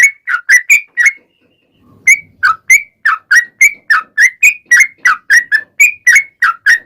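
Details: A sooty-headed bulbul's lure song meant to make other birds answer. Short whistled notes come in quick steady succession, break off for a second, then resume at the same even pace.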